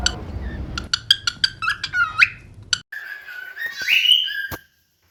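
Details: Pet cockatiels whistling at home during training: a run of sharp clicks and short chirps, then a longer whistled note that sweeps upward and holds before fading.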